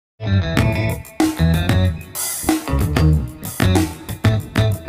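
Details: Recorded music only, with plucked guitar, bass and drum kit playing a steady rhythm, and no animal voice audible.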